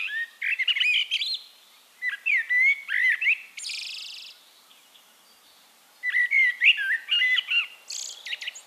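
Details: Eurasian blackbird singing in Castricum, the Netherlands: rich fluting warbled phrases around two to four kilohertz, each ending in a squeaky high twitter, in bursts of about two seconds separated by short pauses; other small birds faintly chirp behind.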